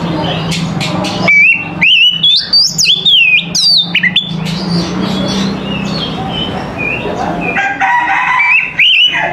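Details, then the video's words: Oriental magpie-robin singing in the morning, with clear whistled phrases, abrupt pitch steps and sharp clicks from about one to five seconds, then a softer stretch and renewed whistles near the end, over low background hum. "TERAPI KACER PAGI HARI"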